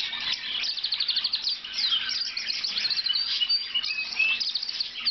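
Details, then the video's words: A blue lizard canary sings a continuous, high run of rapid chirps and rolling trills broken by bright whistled slurs, over a faint steady low hum. "Blue Lizard Canary Singing a nice song"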